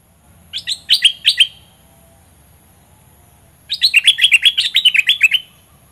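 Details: Olive-winged bulbul used as a lure bird against rivals in southern Thailand, singing its fierce doubled song: a burst of four loud chirps, a two-second pause, then a rapid chattering run of about fourteen bright notes.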